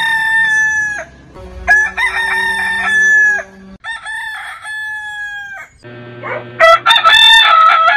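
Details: Heritage chicken breed roosters crowing in turn: several long, steady, tonal crows over a low background hum, ending with a rougher, higher, quavering crow.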